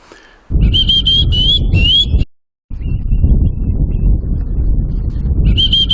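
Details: Osprey calling in agitation near a river in the Arctic watershed of Northern Ontario, possibly disturbed by a person near its nest; a series of clear, high whistled chirps, each slightly rising, over loud rushing water, a short gap mid-recording.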